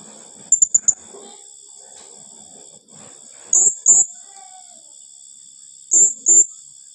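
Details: Blue-crowned hanging parrot giving its rapid-fire "tembakan rapat" call style, said to rattle rival birds: a quick burst of three shrill, very high notes, then two sharp paired notes twice more, over a steady high hiss.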